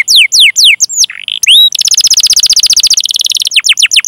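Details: Canary, chirping and rolling song for prompting canaries to sing: steep descending whistles, a short low slurred note, then a long fast rattling roll and more falling chirps.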